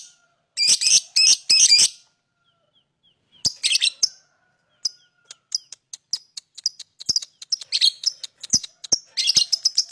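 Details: Lovebird chirping in shrill bursts: an opening harsh chattering run, a pause, then scattered high ticks building into fast, uneven series of sharp notes.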